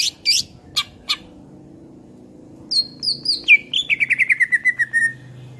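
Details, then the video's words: Cucak ijo, the greater green leafbird, used as a master song: scattered high ticks, then descending whistles leading into a fast, even trill of downslurred notes about eight per second. "SUARA MASTERAN CUCAK IJO GACOR.buat masteran burung kicau"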